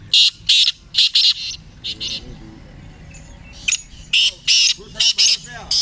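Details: Francolin (teetar) calling in a voice competition: loud, harsh, scratchy high-pitched bursts in quick pairs and runs, with a pause midway before a fresh series, over a low background murmur.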